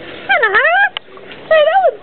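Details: A cockatoo repeatedly says "hello": two drawn-out, hoarse speech-like calls a second apart, the first dipping then rising, the second swelling and falling.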